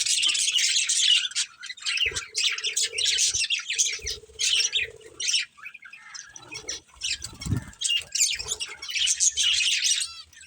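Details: Budgerigar breeding pair chattering in high scratchy warbles, with quieter gaps, a low hum in places and a thud or rustle partway through.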